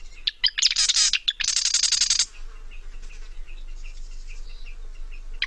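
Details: Marsh wren (Cistothorus palustris) song from the Lake Tahoe region: a few sharp ticks, then two long mechanical rattling bursts like a machine gun, followed by quieter scattered high notes.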